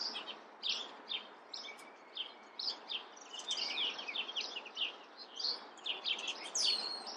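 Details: Chestnut-backed chickadee, Poecile rufescens, small tit: bright high chirps and short buzzy notes in quick bursts, roughly one or two per second, with several overlapping callers and faint background hiss.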